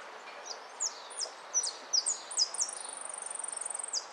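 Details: A goldfinch gives a few spaced, high slurred chips that quicken and end in a long, thin, rapidly pulsing trill held for over a second.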